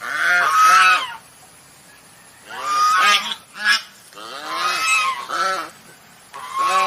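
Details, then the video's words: Swan giving loud, nasal, harmonic-rich honks in three bursts, each a quick run of two or three honks, separated by pauses of about a second. "Swan Sound"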